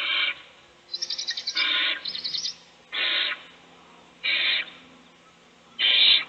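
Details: Owl adult feeding a chick while the other chicks sleep, nest box camera. Broadband hissing screeches about half a second long, repeated roughly every one to two seconds, with a brief run of rapid high chittering notes between them.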